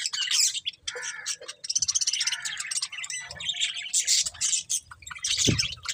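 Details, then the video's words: Budgerigars warble and chirp in a varied stream of whistled slides and fast squeaky notes, with a rapid ticking passage and occasional low knocks from the cage. "Beautiful Budgies Chirping Sounds"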